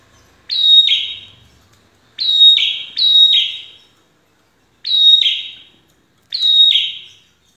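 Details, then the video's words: A red-headed prinia, a call said to reliably draw replies, gives five loud, high, buzzy notes, each sharp at the start and trailing off, at uneven gaps over several seconds, with no other sounds. "prenjak kepala merah dijamin pasti nyaut"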